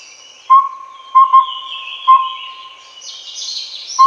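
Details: A collared owlet of the Taiwan subspecies Glaucidium brodiei pardalotum gives mellow whistled toots on one steady pitch: single, paired, then single. A high insect hiss runs underneath.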